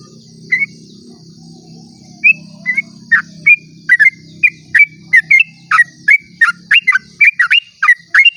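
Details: Sooty-headed bulbul delivering a long 'ropel' song at dawn, meant to lure other bulbuls into song; a few scattered whistles, then an accelerating stream of crisp chirped notes, several per second, over a faint low rumble and high insect hum.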